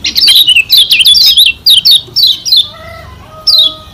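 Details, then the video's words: Lombok white-eye (yellow kecial) gives a fast, high, chattering twitter of quick slurred notes, followed by a few steady lower whistled tones. "Kecial Kuning SELALU SUKSES Pancing Emosi Lawan Bikin Cepat GACOR"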